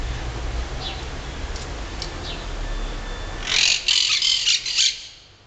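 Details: Emerald-green parrots, thought to be parakeets, from a recently settled colony in Rome snap twigs with their beaks to build tree nests. They give a few faint high chirps, then a quick run of harsh, grating screeches over distant traffic rumble.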